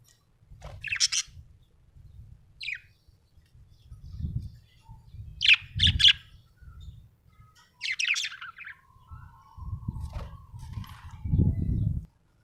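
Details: Happy budgerigar chirping: short, bright, scratchy chirp bursts at about 1, 2.7, 5.5 and 8 seconds, some doubled, over a steady low rumbling background, with a faint sustained tone near the end.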